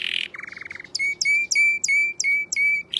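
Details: A canary sings loudly: a short buzzy rattle, then steady whistled notes repeated about three times a second, each starting with a sharp high flick.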